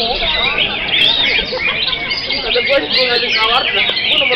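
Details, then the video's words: Energetic greater green leafbird song: a nonstop tumble of quick twittering notes, slurs and chatters, loud and busy throughout, with a few sharp clicks. "AKSI CUCAK HIJAU"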